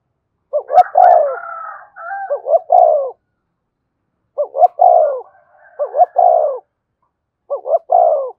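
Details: Spotted dove cooing as a lure to rouse a newly caught caged male. It gives repeated rhythmic phrases of two quick notes and a long falling coo, about four in eight seconds. A faint higher wavering sound runs underneath at times.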